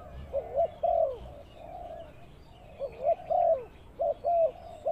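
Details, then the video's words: Spotted dove used as a trapping lure on the ground, uttering low, hollow coo phrases: a burst of short and drawn notes, a quieter pause, then another cluster of coos. "Suara Tekukur Pikat"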